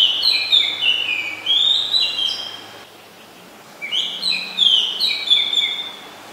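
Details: Oriental magpie-robin singing in Ubon Ratchathani, Thailand, 20 September 2022: strings of bright whistled notes with slurred descending and rising phrases, a short gap, then another varied run of whistles.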